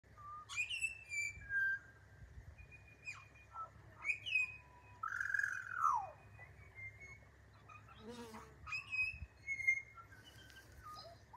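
A pied butcherbird gives rich, fluty whistled phrases, some sliding down, spaced every second or two, with a few higher chirps and faint background hum.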